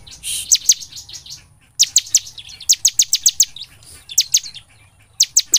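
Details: Persistent, sharp high song of a bar-winged prinia, used to lure prinias into singing day and night: quick runs of piercing downslurred notes, one run of about eight, separated by short pauses over low hum.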